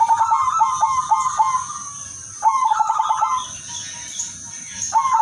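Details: Udanmas silver zebra dove in lively, melodious song used as a lure for other doves. Rapid runs of short, pulsed cooing notes come in three bursts, each trailing into a smoother note, over a constant thin high whine.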